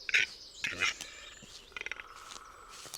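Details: A male Western capercaillie in a Polish forest sits on a tree in the evening darkness and sings its four-part mating display song: bursts of dry clicks and hissing, scraping rattles. A thin steady whistle, probably another bird, runs under the later part.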